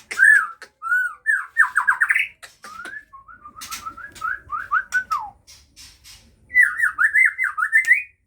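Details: Captive-bred White-rumped Shama of the Aceh type, kept where the young are starting to learn to fly. Rich whistled phrases rise and fall in quick warbling runs, pause, then return as a rapid looping series of fluty notes.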